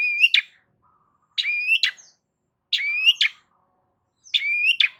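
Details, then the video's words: A Long-tailed shrike sings loudly, meant to get other shrikes to respond; each phrase a rising buzzy whistle capped by a sharp high note, repeated about every one and a half seconds. "Cendet DIAM Pasti Tak Tahan Dan MERESPON Gacor Bongkar Isian Dengan Suara Kicauan Cendet KERAS"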